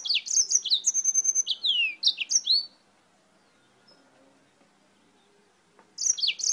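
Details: Yellow-fronted canary (Serinus mozambicus), brought from Spain, singing a lively, high twittering strophe of quick repeated notes and downward-slurred whistles for nearly three seconds, then silence before another phrase starts.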